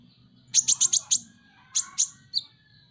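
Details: A Van Hasselt's sunbird (Leptocoma sperata), kept as a cage bird, gives a quick run of five very high, sharp chipping notes, then two more and a thin falling note, over faint low background hum.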